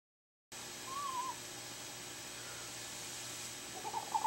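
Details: Female screech owl duetting with her mate at a nest box where she sits on five eggs: one soft, quavering mid-pitched trill, then faint wavering notes at the end, over a steady hiss.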